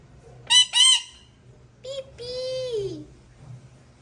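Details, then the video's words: Male parrot calling his partner: two harsh, raspy squawks, a pause, then a short note and a long nasal drawn-out call sliding downward at the end; faint low hum behind. "Male Parrot Calling his partner."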